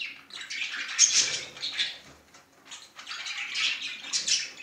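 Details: A male budgerigar courting with fond, rambling chatter: soft bursts of high, scratchy twitters rising and falling in volume, separated by short quieter gaps.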